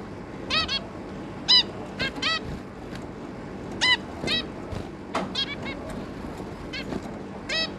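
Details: A zebra finch family of two adults and three juvenile young, 11 May 2022, gives bright nasal honking beeps at irregular intervals, sometimes in quick pairs, against a soft steady hum.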